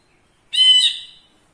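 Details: One loud, rasping, slightly descending note from a caged ashy bulbul, a tutor bird shown in front of the camera, fading smoothly after about half a second.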